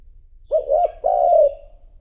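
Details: Spotted dove used as a decoy to lure wild doves, giving two close, soft, mellow coos, the second longer and drawn out, in quiet surroundings.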